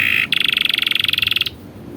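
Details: Canary training song for young birds: a short buzzy note, then a fast pulsing roll of about twenty beats per second lasting just over a second, then quiet.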